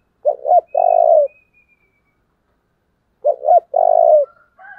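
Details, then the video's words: Decoy spotted dove calling urgently to provoke wild doves. It gives two identical phrases about three seconds apart, each a clipped double coo followed by a long, rough, low purr. Faint high whistles close the recording. "Cu mồi thúc vầy chịu gì nổi"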